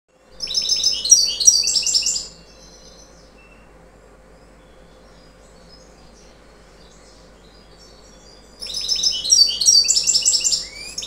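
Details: A young, federation-ringed European goldfinch that has not yet moulted sings two bursts of rapid, tinkling, high twittering, each about two seconds long, separated by a quiet pause with faint background hum.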